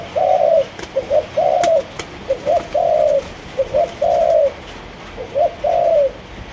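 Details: Kept Malaysian-strain spotted dove cooing steadily in a rhythmic series. Each phrase pairs short clipped notes with a fuller, sustained, slightly descending coo, repeated about four times. A couple of sharp taps interrupt.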